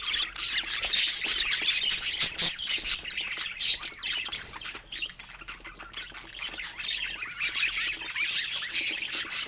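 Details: Pet budgerigars playing with toys keep up a loud, scratchy flock chatter, with sharp squawks and clicks coming in quick uneven bursts that thin briefly midway, then build again.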